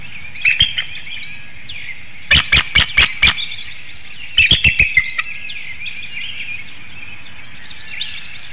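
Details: Bald eagle at a nest webcam in Hanover, Pennsylvania, early morning of 25 March 2019, calling during incubation for its mate to take over, before a nest exchange; two bursts of sharp staccato notes, five then six, over a steady chorus of small birds chirping.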